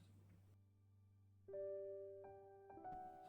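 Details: Quiet low hum, then a few soft sustained piano notes rising in pitch, ending in a sharp click.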